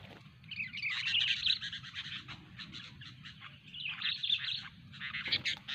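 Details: Sooty-headed bulbul being trained; dense, harsh chattering and scratchy twittering notes in two bursts, with short whistled squiggles, over a low steady rumble of background noise.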